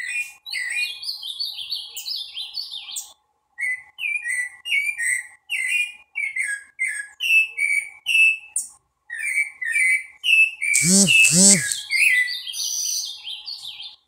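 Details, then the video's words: Green-winged saltator sings rich, varied whistled phrases at a brisk pace, a song heard as "que é vovó"; a brief loud harsh burst breaks in near the end. "sabiá-gongá cantando que é vovó"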